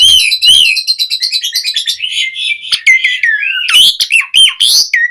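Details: Asian pied starling (jalak suren) in full 'gacor' song, a tutor recording for caged starlings: an arched whistle, a long fast buzzy trill, then varied slurred whistles and harsh notes.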